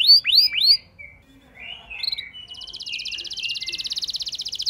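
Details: Canary song used as a lure for a less eager canary; three looping whistles, quieter warbled notes, then a soft rapid trill growing louder.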